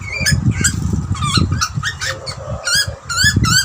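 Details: Two Australian butcherbirds, a young bird and an older one, chatting to each other at feeding time: short squeaky harmonic chirps and rising notes traded back and forth, over a low rumbling background.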